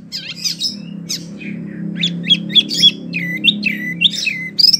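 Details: Kept wambi singing energetically in long rolling bursts: rapid high chirps, squeaky whistles and buzzy notes tumbling one after another, over a steady low electrical hum indoors.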